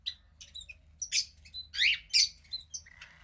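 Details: Cockatiel nestling about 15 days old, daughter of a pied pair, squawks in loud harsh bursts mixed with thin twittering chirps, ending in a brief buzzy note.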